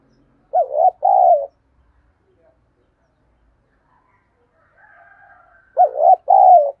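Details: Spotted dove calling to lure other doves, two repeated coo phrases each of an arched note and a longer coo, separated by a long quiet gap with a faint background tone.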